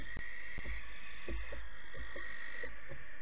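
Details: Barn owl youngsters about 12 weeks old at Alphen on the night of 8 August 2019, driven out by parents reclaiming their nest box. A steady, rasping hiss runs throughout, with faint knocks and scratches beneath it.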